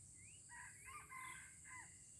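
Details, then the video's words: Aceh red junglefowl crowing during an initial lure test in Indonesia: a rising note opens a hoarse, stepped crow lasting over a second, closed by a short falling tail, with a continuous high insect buzz underneath. "Ayam Hutan Aceh # Pikat Ori test perdana"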